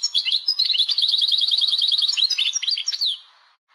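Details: Caged Algerian European goldfinch singing a long, rapid string of evenly repeated chirps, then mixed twitters and sliding notes before fading out.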